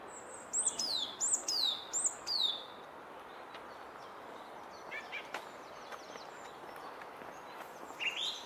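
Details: Song thrush singing beside a Henry Moore sculpture, repeating a sharp, high descending whistled phrase three times in quick succession, then fainter scattered notes and ticks against background noise.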